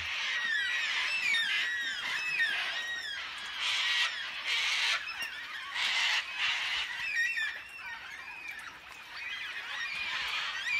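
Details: In the Blue Mountains near Wentworth Falls, Australia, a passing flock of black cockatoos announces its arrival with loud, drawn-out wailing screeches, several birds calling over one another in long bursts, and one white cockatoo joins in with a harsher call.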